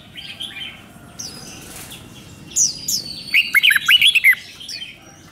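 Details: Thai red-whiskered bulbul giving one phrase of its doubled five-syllable song, a quick series of about seven warbled, rising and falling whistles, after scattered high chirps and twitters from other birds.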